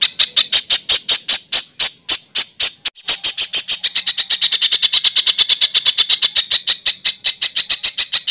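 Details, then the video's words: Rapid harsh chattering from a songbird on a master recording for competition birds: dry, scratchy notes repeated steadily several times a second, briefly slowing before speeding into a continuous rattle. "SUARA BURUNG MASTERAN BURUNG LOMBA"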